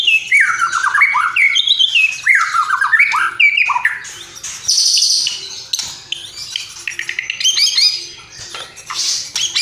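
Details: White-rumped shama pouring out a rich, varied song of looping whistled phrases, rising and falling, mixed with a high buzzy burst and sharp chips, nearly without pause.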